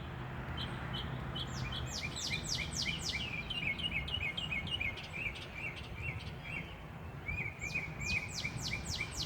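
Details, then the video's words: Birdsong in nature: rapid series of high, downward-sweeping notes in two bursts, the first lasting about five seconds and the second near the end, with short thin whistles between, over a steady low rumble. "Escuchar el canto de los pajaros"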